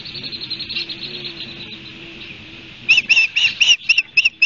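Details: Osprey near its nest at Barnegat Light, New Jersey, on 29 June, picked up by a nest camera: faint high chatter at first, then a quick run of sharp, high whistled chirps repeated several times a second.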